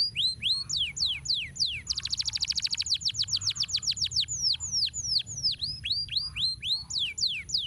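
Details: Lively canary in full rolling song, a recording used as a master for tutoring birds. Looping whistled slurs lead into a rapid, rattling buzzy roll, followed by long repeated downsweeping notes and more swooping whistles.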